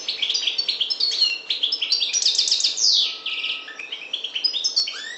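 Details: A parva goldfinch from the Maghreb sings a continuous, rapid chatter of high tinkling notes and trills, including a descending slurred sweep and a rising note at the end.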